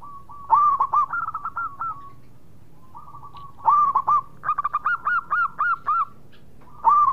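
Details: Singing zebra dove of local type, delivering repeated rolling, stuttered coo phrases in several bursts, each a run of quick evenly spaced notes at a steady pitch, with short gaps between phrases.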